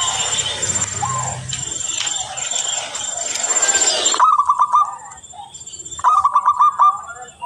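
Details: Local zebra dove song used as a lure for trapping: after about four seconds of loud broadband noise, two phrases of clear, rapidly pulsed rolling coos come at a steady mid pitch.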